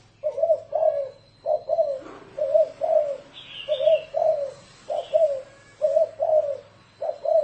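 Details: Spotted dove cooing in the rolling 'thổ rền' style, played to lure wild doves: soft low double coos repeated in an even rhythm, a short high warble from another bird in the background.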